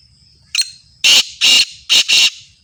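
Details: Kala tetar, the black francolin of Sindhi stock, delivers a rasping phrase: one short sharp note, a pause, then four harsh scratchy notes paired two and two, very close and loud.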